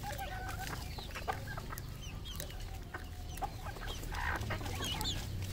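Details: Red junglefowl on a farm in Cambodia clucking in short, irregular bursts, with scattered higher chirps from other birds over a low rumbling background.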